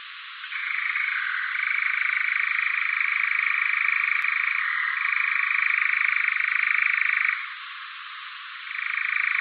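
A European nightjar's long, dry, mechanical churr rolls on without a break and shifts pitch now and then. It stops briefly, then starts again.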